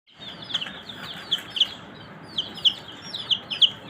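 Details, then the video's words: Domestic chicken chicks give clear, high, downward-sliding peeps, several chicks calling irregularly about once or twice a second over quiet background hiss. "Murgi Chicks Chirping Sound"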